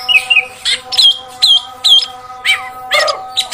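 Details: Female oriental magpie-robin sound used to rile males: short sharp whistled notes repeated about twice a second, mixed with brief harsh chips, over a low continuous hum.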